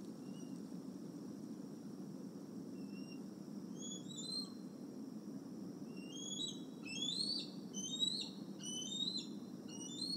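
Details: Eagles at Decorah on an evening in late July 2020, with the parents flying over a retention pond and taking a fish back to the nest. Thin, high chittering squeals bunch together in the second half over a steady low hum.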